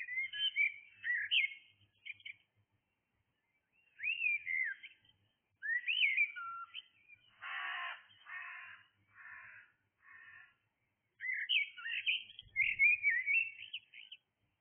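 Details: Blackbird singing in the early hours: repeated mellow whistled phrases with swooping glides, separated by pauses, while a run of harsh cawing calls from another bird sounds in the middle.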